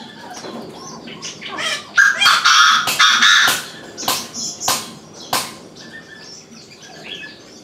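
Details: Three lovebirds perched atop a crape myrtle give shrill, harsh, screechy chatter in quick uneven bursts, loudest in a busy stretch of overlapping squawks, then scattered sharp single calls.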